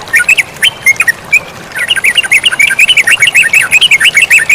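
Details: Yellow-vented bulbul in energetic song with flowing water: a few scattered whistled chirps, then from the second second a dense, rapid burst of bubbling notes that keeps going to the end, about two per second overall.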